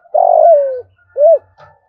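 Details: Lure spotted dove calling wild doves. The clip catches the end of a phrase: a long, rough, downward-sliding coo, then one arched coo, with a faint soft note at the close.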